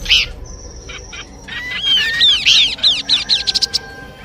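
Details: Horsfield's babbler song, a combination meant for luring birds: a sharp opening chirp, a steady thin whistle, then climbing arched notes speeding into a quick staccato series of short chirps.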